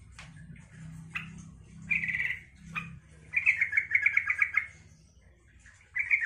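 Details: Chattering song of a yellow-vented bulbul, used to get other bulbuls to reply: brief scratchy notes build to a longer bubbling, rapidly pulsed phrase, with a steady low hum underneath.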